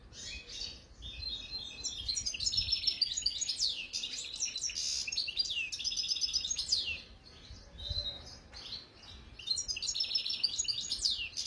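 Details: European goldfinch song, recorded in Algeria in 2022: long bursts of fast, high, liquid twittering and trilled notes in repeated phrases, with short pauses around seven seconds, over a quiet background.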